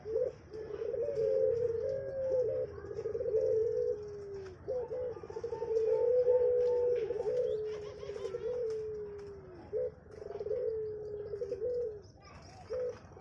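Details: Low, mellow coos from a captive puter pelong dove at a bird farm, each long phrase sliding slightly down in pitch, given in steady repeated bouts.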